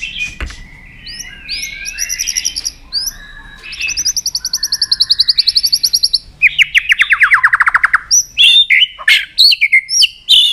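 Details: White-rumped shama song played to stimulate other shamas; long varied whistled phrases, rapid high trills, and a fast descending rattling series, then sharp rising whistles and clicks.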